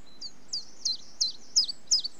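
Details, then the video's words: Song of a common chiffchaff: six high, chirpy notes that grow louder through the phrase, each a quick downward slur, set against quiet background hiss. "Chiffchaff Bird Call - Bird Song"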